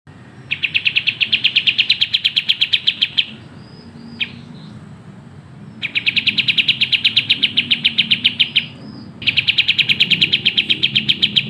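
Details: Sooty-headed bulbul singing at a fast, tight tempo in energetic form: three long runs of rapid, identical bright chirps, each run lasting nearly three seconds, separated by brief quiet gaps, over a faint low hum.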